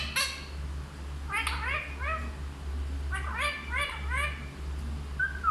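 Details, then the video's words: Talking parrot producing a run of quick, arching voice-like syllables in Hindi, grouped in bursts of two to four. A steady low hum continues throughout. "सबसे अच्छा हिंदी बोलने वाला तोता ll Parrot Talking"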